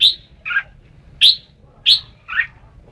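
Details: Red-whiskered bulbul alternating sharp, clear whistled notes with lower rolling, burry notes, about five notes in quick succession.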